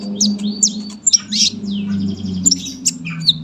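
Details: A sunbird delivers long, dense song as a tutor recording for young birds: high buzzy twitters, sharp chips and slurred whistles in quick succession, over a noticeable low electrical-sounding hum.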